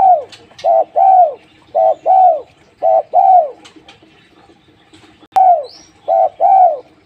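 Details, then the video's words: Spotted dove calling steadily, each phrase a short flat coo followed by a longer arched, mellow coo, repeated about once a second over several phrases with brief pauses; a soft click and a faint high squeak also heard. "Tekukur lulut gacor"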